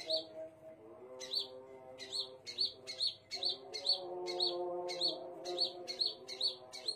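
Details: Scarlet minivet singing: short, high, sharp chirped notes repeated quickly in uneven bursts, over a steady low droning hum with layered tones throughout.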